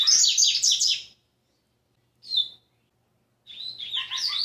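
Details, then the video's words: A six-month-old caged rusty-collared seedeater gives three bursts of rapid, high twittering notes, the middle one brief, separated by short pauses; these are its first "tui tui" song notes. "papa capim pardo seis meses no encarte!"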